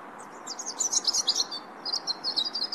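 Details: European robin giving high, thin, twittering chirps in quick bursts, a brief pause, then another rapid run of sharp high notes, with a continuous low rushing background.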